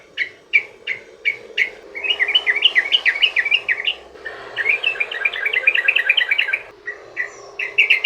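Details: Yellow-vented bulbul singing long 'ropel' phrases used to prompt other bulbuls to sing: a few spaced sharp chirps, then dense fast rattling runs of bubbly notes, pausing and resuming.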